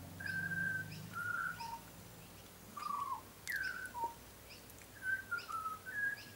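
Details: Melodious whistled phrases from a young butcherbird, lighter black than an adult and tame, a frequent garden visitor; notes glide and drop, some phrases ending in a lower slurred tone, with soft pauses between.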